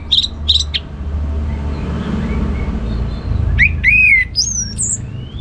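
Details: Orange-headed thrush song in the ngeplong manner. A few sharp high notes are followed by a quiet stretch, then a rising, swooping series of loud whistles and high squeaky notes. Low hum underneath.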